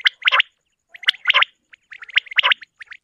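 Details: Common quail hunting call heard at morning: tight bursts of bright, gurgling notes with short chirps between, groups spaced about a second apart, nothing else audible.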